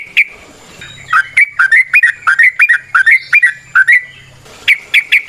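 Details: Wild trucukan, or yellow-vented bulbul, giving lure song: a continuous run of quick, bubbling, whistled notes, ending in a short burst of sharp chirps.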